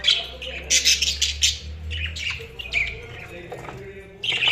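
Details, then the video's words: Budgerigars chirping in a rapid cluster of bright scratchy notes, then a quieter patch of warbling, ending with another loud chirp; a steady low hum runs beneath for the first three seconds. "Budgies Sounds| Budgies Chirping sound"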